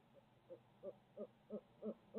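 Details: A barred owl (Strix varia) in midtown Tulsa gives a quick series of about seven mellow, low hoots, roughly three per second, growing louder toward the end against a quiet background.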